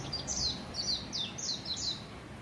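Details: Warbling white-eye (tentatively identified as a Japanese white-eye) in a restaurant garden in Kiryu, Gunma, Japan, in April 2020, gives thin, very high, downslurred twittering notes about twice a second over a soft background hum.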